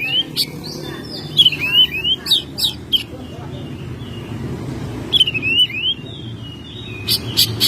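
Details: Oriental magpie-robin, a home-kept bird recorded in May, giving bursts of slurred whistles and sharp clicks in short phrases separated by pauses, with a steady low rumble underneath.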